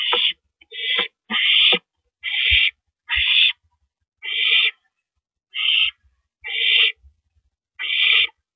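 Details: At night on 9 April 2012, an owl hands a rabbit to its mate at the nest. The clip has a run of rasping, breathy screeches at irregular gaps of about a second, with faint scuffling in between.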